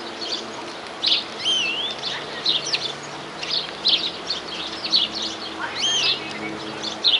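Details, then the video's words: New Zealand wild greenfinch in nonstop song: rapid high twittering bursts alternating with curling whistled notes that swoop up and down, delivered in quick irregular phrases against a soft constant hiss. "Greenfinch Sing In New Zealand Wildlife !"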